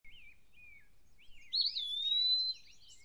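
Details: Eastern wood-pewee in Maine deciduous forest, perched high in a tree, gives a long, clear, slightly rising whistle after faint slurred notes; thin high calls behind, possibly a common yellowthroat.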